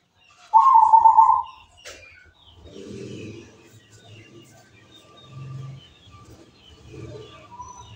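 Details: Local zebra dove singing: one loud, trilled coo phrase at the start, followed by low murmuring background sounds and faint scattered chirps.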